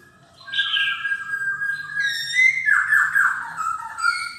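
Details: Silver-eared laughingthrush indoors giving drawn-out whistled notes that turn into a rapid chattering, slurred warble, loud and continuous over a low hum.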